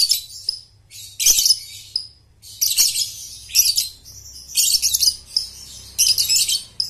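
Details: Lovebird ngekek training lure for young birds: rough, buzzy high chattering bursts repeated roughly every second, interleaved with thin whistled squeaks, over a faint low hum.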